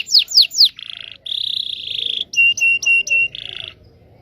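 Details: Canary performing a long training song for young birds: three sharp sweeping notes, then drawn-out buzzy rattles and a run of clipped, squared-off chirps before fading to silence.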